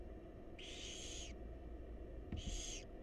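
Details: Begging barn owl nestlings in a wild nest box as the mother delivers food: one long rasping hiss, then a shorter one after a pause, with a faint knock and constant low hum beneath.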